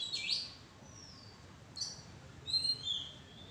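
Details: Oriental magpie-robin perched in a madan tree arbor: a quick chirp, a thin descending whistle, another brief note, then a pair of clear high whistles, all against faint low background noise.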